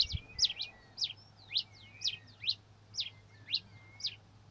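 A Red-crested Finch sings high, thin, sharp notes in quick pairs with faint whistled slides between, repeated about every half second over a low background hum.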